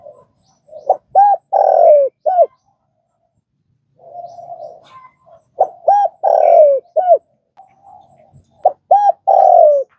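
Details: Spotted dove repeating its cooing phrase three times, about every three and a half seconds. Each phrase has short hollow coos around one long, drawn-out descending coo, with soft murmuring noise between phrases.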